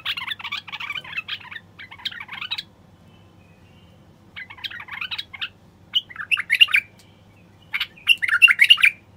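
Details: Common bulbul male song meant to encourage wild birds to sing, mate and build nests: long rippling warbled phrases broken by pauses, ending in loud, clearer fluty notes.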